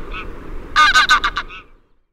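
A Greylag goose gives a quick burst of five harsh, nasal honks in under a second, with fainter single honks before and after.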